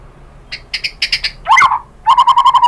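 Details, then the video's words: White-rumped shama song played to goad a rival bird into singing: scattered sharp chips, a slurred burst, then a fast run of evenly repeated notes, loud and near. "Pancingan MURAI BATU bikin EMOSI NYAUT GACOR BONGKAR MATERI ISIAN"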